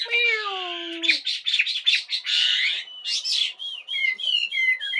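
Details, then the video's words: Morning bird singing opening with a low, falling harmonic whistle, then a dense burst of harsh buzzy notes followed by sweet looping whistles. "Chào buổi sáng. Mời ae cùng nghe chim hót."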